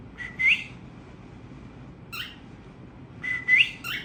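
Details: Tamed cockatiels singing as a family: two clear whistles that climb sharply at their ends, framed by scratchy chirps, with a quiet gap between them and low hum beneath.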